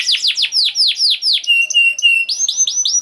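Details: Canary song meant to get silent canaries singing again: rapid descending whistled slurs, then a held pure tone with faint high ticks, then a fresh run of quick repeated upslurred notes.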